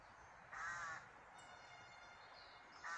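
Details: A bird calling outdoors: one harsh, grating caw near the start and another beginning at the very end, with steady hissing ambience between.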